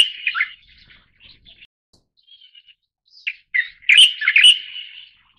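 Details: A Light-vented Bulbul (Pycnonotus sinensis formosae), the Taiwan endemic subspecies, gives bright, chattering phrases of quick slurred chirps. The first burst comes at the start, and a louder, fuller phrase follows after a short pause.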